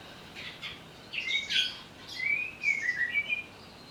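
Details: Greater green leafbird provoked into agitated singing, with a few soft notes followed by a buzzy burst and a flowing string of slurred, wavering whistles.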